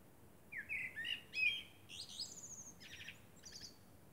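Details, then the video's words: Under the moon at night, a common blackbird sings a fluted whistled phrase that climbs into high, rapid, scratchy twittering and trailing squeaks, in a quiet setting. "Blackbird sings under the moon"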